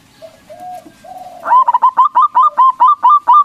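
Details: Used as a lure to make other doves answer, a local zebra dove gives soft drawn-out lead-in notes, then a fast, even series of about ten crisp, bouncing coos.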